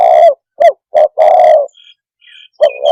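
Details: Tekukur, or spotted dove, calling to provoke birds: a long raspy coo, two clipped notes, then another long coo. Faint thin high chirps from a small bird follow before the cooing resumes.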